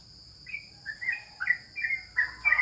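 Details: Sooty-headed bulbul, known locally as trucukan, at home while bird contests are paused during the COVID period. Short clear whistled notes, some sliding down, spaced about every half second over a faint steady high ticking hum.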